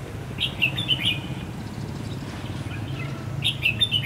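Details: On the first day of Tết 2016 a red-whiskered bulbul gives its fighting song as a decoy for trapping: clear, lively chirped and warbled phrases at the start and again at the finish, over a low droning background.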